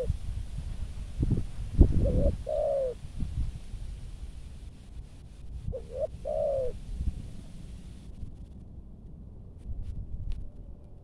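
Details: Malaysian-strain spotted dove trained as a decoy in Bình Dương, Vietnam, giving two thúc gù coo phrases, each a couple of short notes and a longer falling coo, partly masked by loud low rumbling and knocks.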